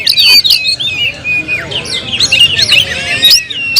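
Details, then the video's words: Oriental magpie-robin in full song, with bright whistled notes, long downslurs and busy twittering packed tightly together, punctuated by sharp clicks. "suara kicau burung Kacer"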